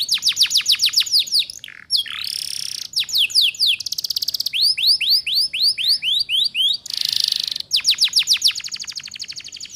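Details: Atlantic canary female luring males, ngeriwik song for teaching young canaries: long run of rapid descending trills broken by hissy rolls, arched whistled notes repeated quickly, ending in another fast trill.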